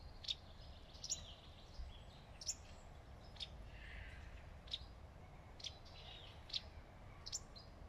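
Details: A wagtail on a branch beneath shady leaves repeats sharp, high-pitched chirps. There are about nine brief notes spaced roughly a second apart against faint environmental noise.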